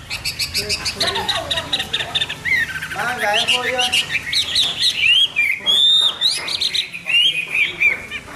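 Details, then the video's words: Hwamei in morning song: rapid chattering phrases at first, then loud, varied whistled and slurred notes delivered in quick, irregular bursts. "Nghe chim họa mi hót hay mỗi sáng"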